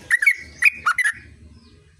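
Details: Brief burst from a sooty-headed bulbul in ngerol style, four quick whistled notes with a bouncing up-and-down contour, then fading to a low background hum.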